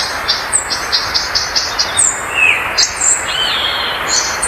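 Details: Violaceous euphonia song of short, high repeated notes in a quick series, followed by sharp whistled slurs and upward-bending notes, over steady background hiss.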